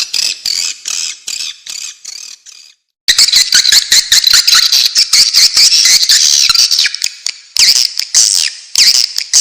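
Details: Swiftlet calls of the kind used by hunters to lure swiftlets: loud, high buzzy chirps in rapid bursts, about two per second, pausing briefly near three seconds, then a dense run of twittering clicks.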